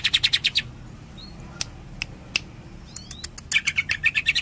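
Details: Cililin greater green leafbird in kapas tembak style: a quick burst of high chirps, a pause with thin whistles and isolated ticks, then another fast rattling series of bright notes.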